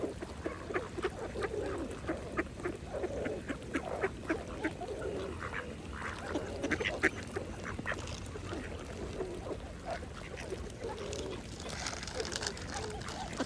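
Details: Mallards foraging at a pond keep up a steady stream of short, clipped quacks and soft gabbling, tapering off toward the end, with calm water sounds beneath.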